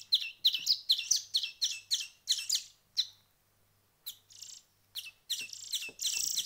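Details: Hand-reared songbird chicks give a fast run of bright, quickly repeated chirps. After a lull, softer hissing wheezes and a rising shrill rasp follow.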